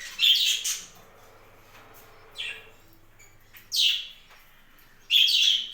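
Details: Budgies on a home budgie farm utter loud, grating chirps that fall in pitch, three main bursts roughly every one and a half seconds, with a quieter call between and a low hum.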